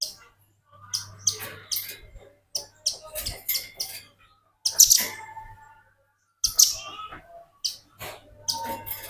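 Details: Velvet-fronted nuthatch in lively song for tutoring other birds: a busy run of high, clipped chirps and clicks, some in quick doublets, spaced irregularly across the recording.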